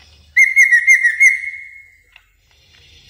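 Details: Caged-bird training song of a greater green leafbird: a steady clear whistle held level with pulsing warbled notes layered above it, trailing off into near silence, then a sharp burst at the very end.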